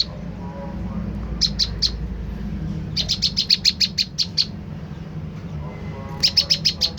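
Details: Olive-backed tailorbird calling, used to bait a reply from rivals: short groups of three, then a long run of around ten shrill staccato notes, later another quick burst, with low background hum.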